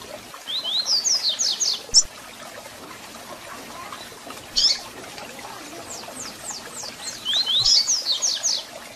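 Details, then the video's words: Double-collared seedeater song mixed with calls, meant to stir up and warm up a captive bird: a fast run of high descending notes, a lone sharp chip, another chip, then a longer rattling series of thin slurred notes. "Canto de Coleiro com Piado para Foguear e Esquentar Seu Coleiro ou Papa-capim"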